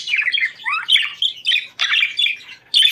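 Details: Budgerigars, kept as pets, singing to stimulate breeding condition: busy chattering warble of squawks, chirps and rising whistled notes in short bursts, several birds overlapping, indoors.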